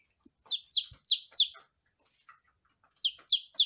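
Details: Lavender Ameraucana chicks on their first day give loud, high peeps, each sliding downward, in quick runs of four, then a brief softer gap before another run.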